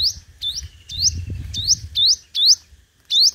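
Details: Competitive singing of a decoy five-coloured sunbird: bright rising whistled notes in quick succession, each with a sharp flick at its start, over a faint low rumbling background.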